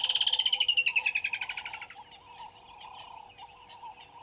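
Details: Water thick-knee at Gowrie dam waterhole, Djuma Game Reserve, Sabi Sand Wildtuin, South Africa, 09:09 on 25 December 2021, on a live camera with waterbucks present. About twenty rapid piping whistles slide gently downward over two seconds and fade, over a steady droning background chorus.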